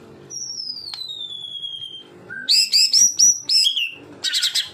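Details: Tutor recording of murai batu, the white-rumped shama, taken from a real bird in 'tembakan' style: a long pure whistle slowly falling in pitch, then a burst of five loud sharp notes and a final buzzy chirp.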